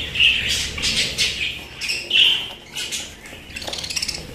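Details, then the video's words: Pet budgerigars chattering, with short bright squawks and chirps in bursts, some louder notes standing out, scattered across a few seconds. "আমার পোষা প্রাণী বাজরিগার"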